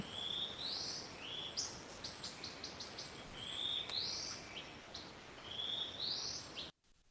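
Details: Yellow-breasted Boatbill recorded in the Managalas Conservation Area, Papua New Guinea, in a tropical landscape. It gives high, thin whistles that sweep upward, with quick series of short high notes between them, over a steady hiss of insects.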